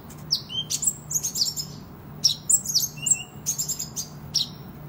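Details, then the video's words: Energetic kolibri ninja sunbird song for competing and tutoring: scattered high, thin tweets and quick slurred notes in loose clusters, some brief lower whistles, with a constant low electrical hum underneath. "Kolibri Ninja Gacor Ngadu Bisa Buat Masteran"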